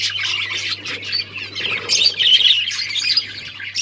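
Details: Budgies, dated October 31, 2023, chirping in what is called talking: fast irregular chatter of squeaky warbles and squawks from several birds, loudest near two seconds, over a low steady hum.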